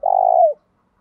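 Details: Spotted dove cooing in the 'thổ đồng' style, meant to prompt males to answer and fight. A single long, even, buzzing coo that slides down at its close, followed by silence.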